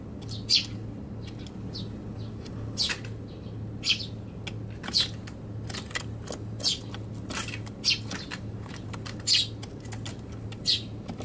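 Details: Eurasian tree sparrow filmed on a balcony on Tanabata 2021, a struggle inside a box: sharp high chirps about once a second over a steady low hum.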